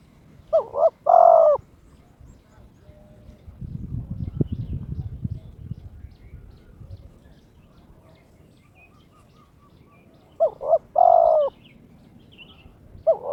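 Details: Captive spotted dove in breeding mood calling out a rival: a hollow coo phrase at the start, a long quiet gap with low noise, then another double-note coo ending in a drawn-out note, and a final clipped coo.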